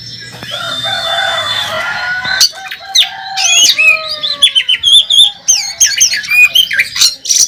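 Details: Oriental magpie-robin in fighting song at a bird contest: after a noisy opening, a quickening string of bright whistled slurs, chirps and squeaky notes, growing louder and denser.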